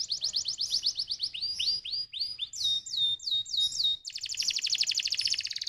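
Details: Canary song meant to stimulate other canaries: rapid tours of repeated high notes, first quick chips, then slurred downward sweeps, then rising whistled notes, ending in a dense, fast buzzing trill.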